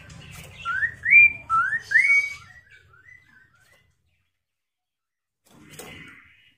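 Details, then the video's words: Chinese hwamei song meant to trigger answering song from other hwameis: several rising whistled notes, then softer trailing notes fading away, with a faint burst of noise near the end. "Suara Khas Poksay Mandarin agar Poksay Nyaut dan Gacor"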